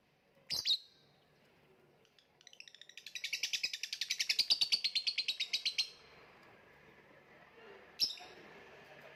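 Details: Lovebird opening with a sharp chirp, then a fast rattling chatter of rapid pulsed notes lasting about three seconds, ending with another shrill chirp.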